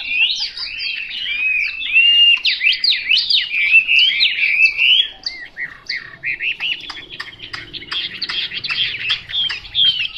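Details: Chinese hwamei singing loud, fluid, swooping whistles for several seconds, then softer, clipped, scattered notes.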